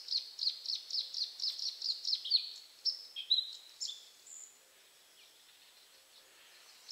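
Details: Bluethroat singing from bushes, loud: a fast series of about ten ringing, high repeated notes, roughly four per second, then a short run of varied sharp, scratchy phrases, with quiet background.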